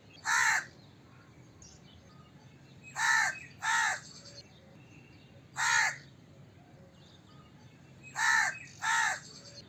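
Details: Crow cawing: loud harsh caws spaced irregularly, single and in close pairs, six in under ten seconds, over a quiet background with faint distant bird chirps.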